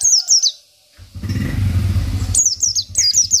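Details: Local Oriental white-eye, isian-style singer kept as a song tutor: a few high falling whistles, then a loud engine rumble masks the middle, and quick descending whistle notes return at the end.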